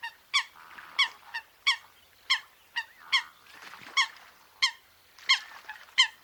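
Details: Coot in its natural wetland habitat with a rapid run of short, honking, nasal notes, about two per second. Faint softer calls sound in between.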